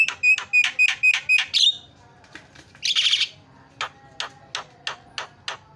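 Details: Javan myna chattering in a lure recording for mynas that stopped singing: a fast run of bright whistled notes, a harsh buzzy burst, then a series of short clicky notes repeated about once every half second.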